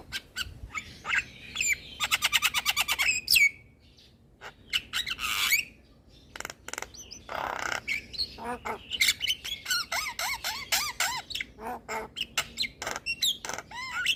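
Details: Javan myna song, a full nodding performance used to lure and soothe moulting mynas: harsh squawks, buzzy bursts and rapid ticking note trains mixed with clear, looping whistled phrases, with a brief pause midway.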